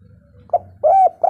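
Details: Spotted dove in breeding condition, calling to prompt other birds to sing: a short clipped note, then a longer level coo and the start of another, with faint low background hum.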